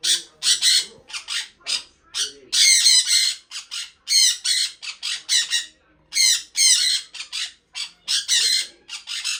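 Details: Sun conure, a pet parrot, chirping loudly in rapid, raspy bursts repeated almost continuously, each burst a cluster of shrill notes with short pauses between, in a quiet indoor setting.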